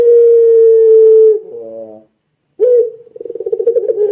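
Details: Puter pelung dove, a Barbary dove, calling to prompt other doves to answer: one long clear level coo fading into a reedy lower note, a brief gap, then a rising attack and rapid rolling pulses.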